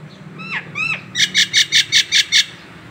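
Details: Local Nias hill myna, masteran training material: two rising-then-falling ringing whistles followed by seven rapid, loud, buzzy bursts spaced evenly over about a second and a half.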